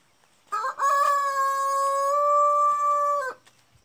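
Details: At daybreak a black Jersey Giant cock gives a single loud crow, with a brief broken start followed by a sustained level tone lasting over two seconds that ends sharply, with faint small bird calls behind.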